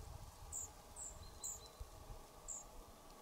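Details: Pied flycatcher chicks leaving the nest box: brief, high, slightly downslurred calls every half second or so, plus a couple of fainter, lower notes between them.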